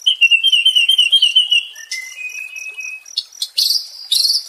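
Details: White-rumped shama song meant as therapy for a stressed caged shama: a quick warbled series of high notes, a long flat whistle, then bursts of very high buzzy trills.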